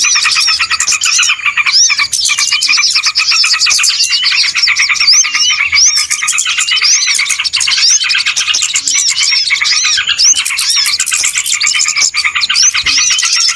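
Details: Trapping lure of small birds, a long dense chorus: relentless fast ticking chatter, crowded with repeated upswept whistles and squeaky chirps, almost no pauses.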